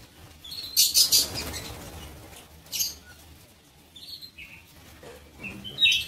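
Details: Lovebirds kept in a breeding aviary give shrill, high chirping bursts: a dense cluster near the one-second mark, then single sharp squeaks spaced a second or two apart, with quiet pauses between.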